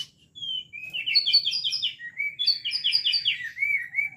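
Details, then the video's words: Trotol song of a white-rumped shama: a clear whistle leading into rapid, chattering trills that step up and down, two bursts of quick repeated notes, ending on smooth slurred whistles, in a quiet setting. "Bunyi murai trotol"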